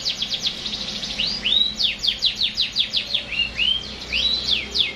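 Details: Canary song of rapid high chirps in trilled runs, broken by several clear upslurred and downslurred whistles, with a steady pulsing rhythm throughout.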